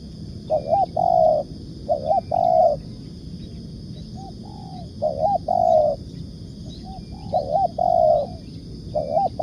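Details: Spotted dove cooing in 'ngukuk' and 'nekan' style for luring birds: repeated mellow phrases, a quick looping doubled note running into a sustained steady coo, about five phrases, with faint distant chirps and low background rumble.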